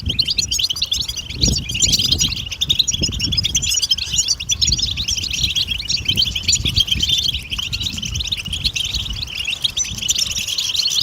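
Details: European goldfinch song used as a hunting lure: a dense, continuous stream of fast twittering, tinkling high notes and trills, with low thumps and handling noise underneath.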